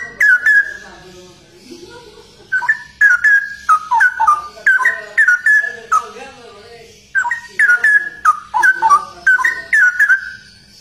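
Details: Straw-headed bulbul (cucak rowo) singing a loud, rich, bubbling warble of fluty whistled notes that tumble and slur in rapid phrases, repeated again and again with brief pauses between them.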